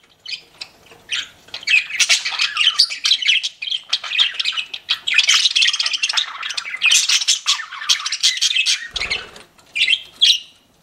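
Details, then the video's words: Several pet budgies in continuous excited chatter of raspy squawks, chirps and warbled notes. Voices overlap throughout, with a short low thump near the end. "CUTE PET BUDGIES CHIRPING"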